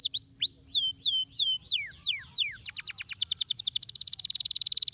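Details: Stimulating canary song meant to get lazy canaries singing: slow run of clear downslurred whistles about three per second, then an accelerating dense rattling trill.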